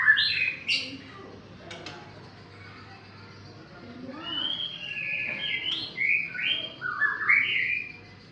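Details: Young bird, as described in Indonesian, gives bright chirps and sliding whistled notes: a sharp burst at the start, then a run of rising and falling warbled phrases, repeated quickly in the second half, over a low steady hum.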